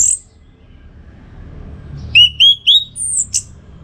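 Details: Orange-headed thrush song kept for training contest birds: after a pause, three fast up-slurred whistles in a row, then a thin high descending note and a short harsh burst.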